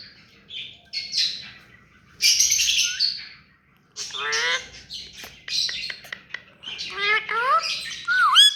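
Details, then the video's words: Tame pet rose-ringed parakeet chattering in a long, varied sequence: scratchy squawks, buzzy rising notes and clear whistled swoops. It builds to louder, quicker phrases toward the end. "Mithu parrot hand taime and clear sound"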